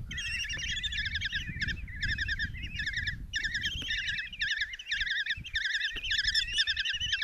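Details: Five common kestrel nestlings in a nest box at Tiszalök, Hungary, June 27, 2024, being fed a mouse by their mother; shrill rapid trilled calls in bursts of about a second, overlapping, over low scraping and movement noise.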